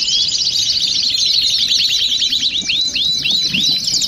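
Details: A noisy gathering of canaries sings together to stimulate song. Dense twittering trills fill the background while a series of clear, arching whistled notes repeats roughly twice per second near the end.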